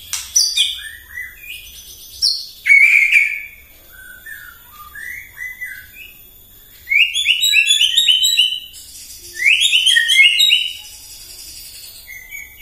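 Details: White-rumped shama singing in the morning to provoke rivals, with clear whistled notes followed by long rapid bursts of high rattling, chattering trills.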